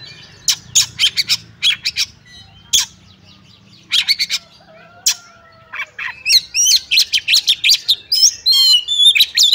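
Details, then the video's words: Oriental magpie-robin (kacer) fighting song in ngobra style, full of bursts, used to test other magpie-robins' nerve: rapid harsh chattering notes, a pause with a low drawn whistle, then dense high buzzy trills and sweeping whistles. "Kacer Tarung Ngobra Full Tembakan Cocok untuk Ngetes/ Nyoba Mental Kacer Lain"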